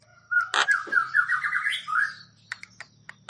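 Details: Javan myna song to stimulate stressed or quiet mynas: a loud harsh click, then a warbling, wavering chattered phrase, followed by several scattered sharp notes, with a low hum beneath.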